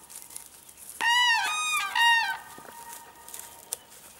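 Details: Cranes confronting a dog, recorded 21 April 2015: two loud, ringing trumpeted calls, each about half a second, rich in harmonics with a slightly arched pitch. Faint background noise in between.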